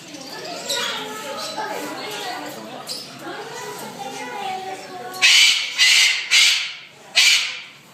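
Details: Angry bird screaming: four harsh, loud, broadband shrieks in the final three seconds, each about half a second long, following several seconds of people talking.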